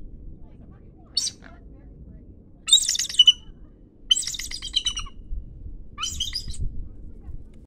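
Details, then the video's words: Captive bald eagle in its enclosure protesting visiting keepers: short bursts of high, chattering, squealing notes come in separate outbursts about every one to two seconds, with low rumbling background noise throughout. "Bald Eagle Protesting"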